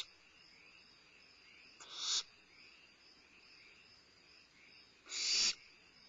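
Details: At Starr Ranch on 2011-05-22, a limping barn owl owlet eating a midnight meal gives two breathy, harsh hissing screeches about three seconds apart, each under half a second, over a constant thin high whine.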